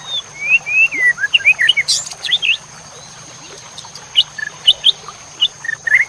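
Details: White-rumped shama masteran song for training fighter competition birds: a series of sweet slurred whistles and quick upward flicks, a short pause, then scattered sharp high notes.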